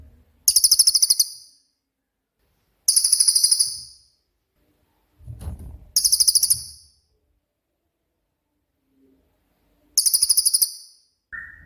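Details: Cililin master song for training songbirds in 'tembakan' style: four short, piercing high trills of rapid pulses spaced two to four seconds apart, with low knocking between and a brief whistle at the end.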